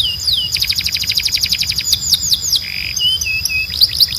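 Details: Belgian canary song meant for bird training: a rapid, even trill of sharp falling notes, a few louder sweeps, a brief harsh buzz, then soft whistled notes and a final burst of high sweeps.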